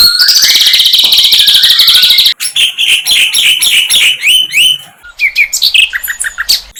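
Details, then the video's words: Flycatcher in the wild opening with a dense buzzy trill, then switching to quick, loud, down-slurred chirps and scattered high notes. "Sikatan LONDO"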